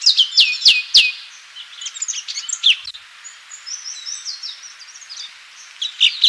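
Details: Orange-bellied Leafbird (cucak cungkok) sings a full 'tembakan' style song: quick varied chirps and sharp downslurred whistled notes tumbling together, with brief pauses and a louder burst of notes near the end.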